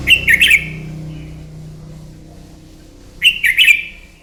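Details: Red-whiskered bulbul singing a morning fighting song to train a bird: two quick bursts of three sharp chirpy notes each, about three seconds apart, over a low background hum.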